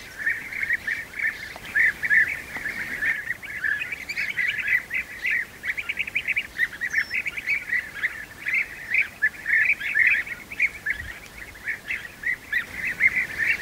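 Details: European bee-eater young being fed at the nest: dense, overlapping trilled chirps pour out almost without pause, rising and falling in loudness throughout, with several birds seemingly calling together.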